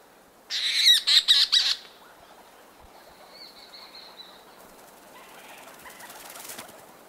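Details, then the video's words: Leach's storm petrels leaving their burrows near dawn: a rapid burst of harsh, rattling chattering calls for about a second, then a thin drawn-out note and soft fluttering wing sounds over quiet background. "Leach's Petrel. MD-MCU Calls And Wing-Beats From Birds Leaving Burrows Near Dawn."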